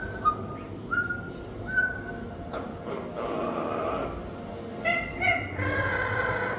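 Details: Pet parrot producing intriguing, funny noises: short pure whistled notes about once per second, then breathy hissing and rasping sounds, ending in a pair of sharp notes and a broad harsh squawk, against a constant low indoor hum.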